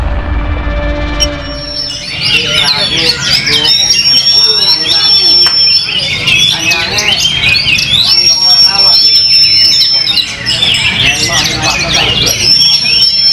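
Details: Caged competition Oriental magpie-robin singing for the first time after its first moult: loud, varied high song with sustained whistled notes, rapid chirps and mimicked phrases, overlapping other birds singing and human voices.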